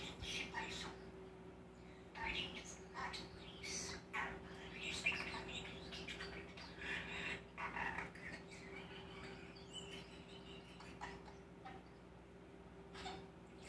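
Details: Male common starling with a wide mimicked vocabulary of kisses, laughing, clicking, whistling, raspberries and human phrases, giving a run of scratchy chatter, sharp clicks and smacking kiss-like bursts, with a steady low hum behind.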